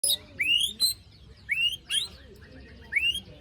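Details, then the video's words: White-rumped shama song used as a lure for birds that stopped singing after moult, with harsh besetan phrases: upswept whistles ending in raspy high bursts, three phrases about a second apart, plus quieter twittering between. "Pancingan murai batu macet bunyi paska mabung terbaru besetannya bikin ngilu!!"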